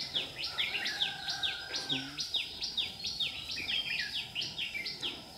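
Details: Decoy red-whiskered bulbul at a trap, 22 July 2019. Quick downward-sweeping notes repeat steadily, about two to three each second, across the whole stretch. A brief low sound breaks in near the middle.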